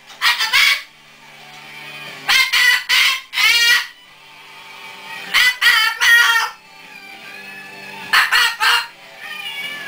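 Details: A 15-year-old umbrella cockatoo, alone in his cage, talks in loud, harsh, raspy word-like bursts in clusters of three or four, repeating roughly every three seconds, with quiet room hum between. His words include "hello" and "I love you".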